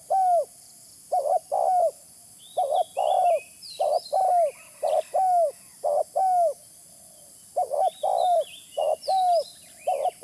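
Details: Spotted dove calling, used as a lure. Long series of soft, low coo phrases, often doubled, with falling tails and short pauses between groups. Distant high chirping birds and a steady hiss in the background.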